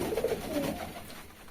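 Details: A pigeon in a pigeon loft gives a soft, low, throaty coo that fades quickly in the enclosed space.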